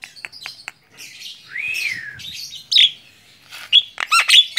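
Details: On a hand, a tame Javan myna mixes dry clicks, a long wavering whistle that rises then falls, and harsh squeaks, ending in a cluster of loud sharp notes.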